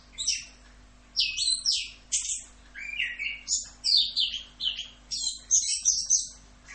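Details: Orange-headed thrush singing in the energetic style called Rock'n Roll: bursts of varied high whistles, sharp slurred notes and quick trills, one phrase after another with short gaps of about half a second.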